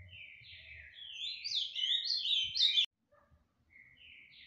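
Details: Fibra-style song of an ultramarine grosbeak from Tijucas do Sul in Paraná, Brazil: rising run of rich warbled notes building to a loud, fast cascade that cuts off abruptly, followed by faint quieter whistles.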